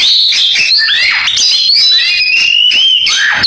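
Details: Oriental magpie-robin rendering a canary imitation, with swooping whistles and dipping slurred notes leading into a long steady high whistle, then a falling note.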